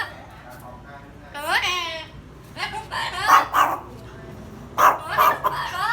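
A parrot talks in short, speech-like bursts with rising and falling harmonic tones, and a person speaks nearby.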